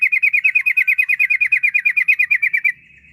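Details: Yellow-vented bulbul pouring out a long rolling ropel trill to prompt other bulbuls to sing: about twenty-five evenly spaced, bright, buzzy notes in under three seconds, ending abruptly.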